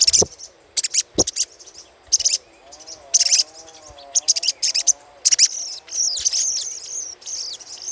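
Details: Little spiderhunter chatter used to lure birds: loud, dense bursts of sharp high chips every half second or so, ending in a continuous squeaky, buzzy high warble, with a faint low wavering tone beneath.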